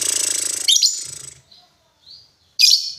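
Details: Lovebird giving harsh, loud chirps at the start and end, with a soft whistle in between, over a low pulsing hum early on.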